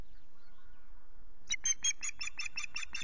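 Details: Osprey at its nest at Loch Garten, filmed by a nest camera on 19 April in the morning during intrusions. After a quiet start, a rapid series of eight sharp, piping whistled notes rings out in quick succession.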